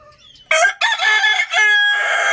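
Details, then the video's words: Young rooster crowing while running about: a loud, harsh, harmonic-rich crow in three bursts, a short opening note, a longer strained middle note, then a sustained drawn-out final note, lasting under two seconds against a quiet background. "Adorable rooster crowing sound effect | Amazing rooster Crowing Loudly"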